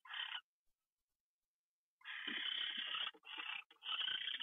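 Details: Owl at dawn on January 27, 2013, 6:14 AM, during a morning fly-in. A harsh, breathy hiss, then a pause, then a longer run of rasping hisses broken by short gaps.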